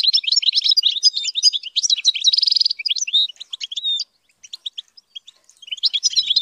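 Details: Caged European goldfinch under song training sings dense, tinkling twitters with a nasal buzzing trill in the middle. The song then breaks into sparse chirps before a last burst of twitter.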